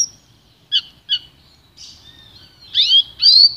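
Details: Goldfinch–canary hybrid singing: two crisp separate chirps, a thin drawn-out whistle, then a loud, busy twittering flourish with rising and falling sweeps to close.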